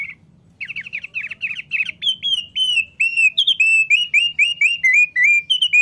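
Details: Caged male thick-billed white-eye, known as an eager singer, delivers a lively run of high, clear slurred whistles, each note rising then dropping, repeated roughly twice a second and growing louder toward the end.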